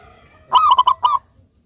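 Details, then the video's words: A single song phrase from a local zebra dove in Indonesia, a short run of four quick, mellow, bubbling coos that fall slightly at the end, over a quiet steady background whine. "perkutut lokal gacor"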